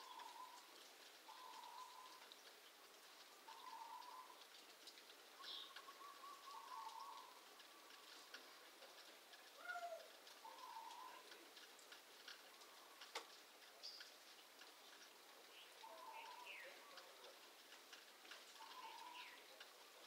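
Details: A neighbour's pet rescue bird kept outdoors, recorded at 6:46 a.m. on 29 July 2021 and calling for hours, repeats a low, hollow, cooing phrase every couple of seconds, with faint chirps behind.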